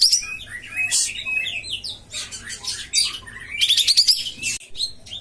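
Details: Common iora (kapas tembak) song for prompting a lazy singer: jumbled chirps and squawky notes, then a quick rising rattled trill near the end.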